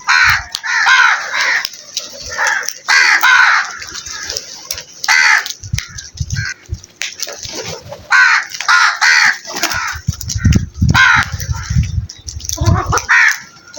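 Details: Crow giving a long series of harsh, hoarse caws in loose bursts of two to four, with short pauses between bursts and low rumbling background noise toward the end.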